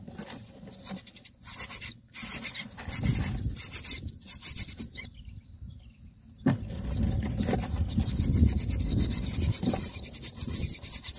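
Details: Common myna nestlings begging during feeding on day nine; bursts of shrill rasping squeals separated by pauses, with a low rumbling background throughout the second half.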